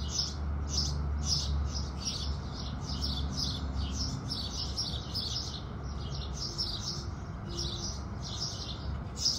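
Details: House sparrows singing at sunrise: a dense run of bright, high chirps, about sixteen in nine seconds, tumbling irregularly over a steady low rumble in the background.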